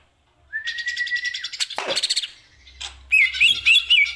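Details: Caged greater green leafbird song used to tutor other birds: a long steady whistled note, then a buzzy rapid chatter and a harsh descending sweep, ending in quick warbled whistles.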